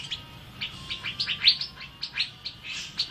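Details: A spirited Asian fairy-bluebird, recorded as a master song for training birds, pours out short high chirps and clipped whistles in uneven rapid succession, with one sharp loud note standing out.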